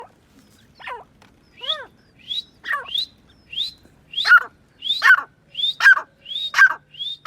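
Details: Grey francolin calling: a series of sharp, rising whistled strokes repeated about every three-quarters of a second. The notes grow louder and more doubled toward the end over a quiet background.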